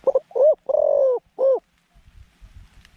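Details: Decoy dove with a middle-pitched voice, used in a trap to lure wild doves, gives a quick run of short, low cooing notes, then one long drawn coo and a final rounded coo, followed by faint rustling.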